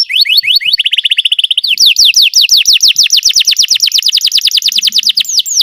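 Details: A Belgian canary sings loud, fast rolling trills: a quick run of repeated notes, then a long series of sweeping, rising-falling whistles, all high-pitched and rapid.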